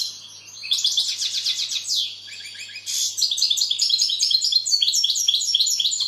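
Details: European goldfinch song building from quiet notes into a quick, continuous, silvery twitter of repeated high chirps and trills, rising in intensity toward the end.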